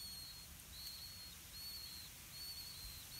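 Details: Thin high whistles from a blue-winged pitta nest where parents feed chicks earthworms; drawn-out level notes repeat roughly once a second over steady low background noise.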